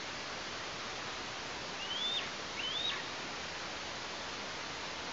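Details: Eastern imperial eagle chick at a nest in Tatarstan on 16 August 2023, while the parents bring food, gives two thin, high whistled notes, each rising then levelling off, about half a second apart, over steady wind-like hiss.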